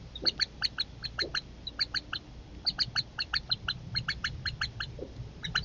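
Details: Young Northern Harriers at dinner time as their mother drops a meal, with aggression over the food. Rapid series of harsh, harmonic notes about three per second, continuing throughout without pause.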